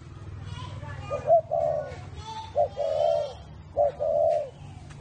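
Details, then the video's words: Whistle-voiced spotted dove, kept at a bird farm near Hanoi, Vietnam: clean, pure coos, each a short clipped note leading into a longer steady whistle, repeated three times over a low background hum. "CU GÁY GIỌNG CÒI (thổ mổ còi)"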